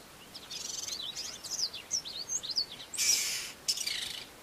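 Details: Male Black-bellied Starling singing his usual song, which later includes mimicry of Brown-hooded Kingfisher and Fork-tailed Drongo. Rapid, high, scratchy warbled notes tumble in a run, broken by a loud rushing burst near the end.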